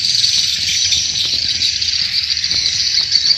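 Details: Swiftlet farming lure sound from Indonesia. A steady, high, hissing twitter of many overlapping chirps holds at an even level throughout.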